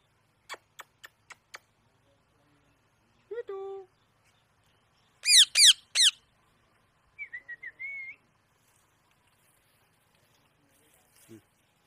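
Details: A pet Indian parrot talking gives sharp clicks, a falling whistled note, loud harsh squawks and a wavering whistle, with pauses between each burst.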